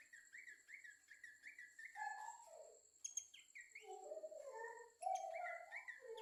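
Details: Babbler song: a quick series of rising whistled notes, then lower warbled phrases and slurred whistles, with a steady high insect-like tone running throughout.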